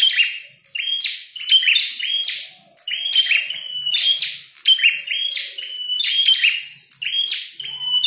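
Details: Prinia with red head, fighting, pours out continuous bursts of whistles and rasping buzzes, phrases tumbling every half second with occasional brief breaks.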